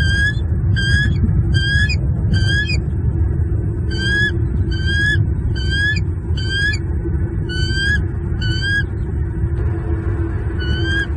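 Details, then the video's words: Male bald eagle in southwest Florida on a February morning, calling at an intruder near the nest while guarding two chicks; rapid runs of high chattering, piping notes in bursts about every second, over loud low wind rumble. "M15 chases away intruder, protects E21 and E22."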